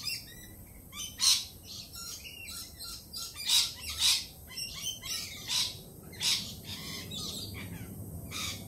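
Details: Jittery lorikeets after a recent Peregrine Falcon attack that week: loud, piercing rasping screeches burst out irregularly, with quieter squeaky chatter between them.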